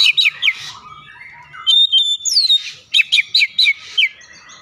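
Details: Oriental magpie-robin lure song to make a bird sing: quick, bright chipping notes, a descending whistle, a sweeping slur, then a rhythmic string of sharp, evenly spaced notes.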